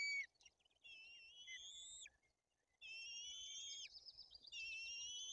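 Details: From a white-tailed eagle nest in Poland's Bory Tucholskie, with the female feeding two chicks and the older behaving aggressively: long rising whistles, softer and more distant, over steady low outdoor background noise.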